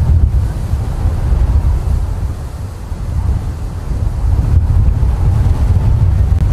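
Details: Strong wind buffets the microphone in a steady low roar, with no animal sound heard.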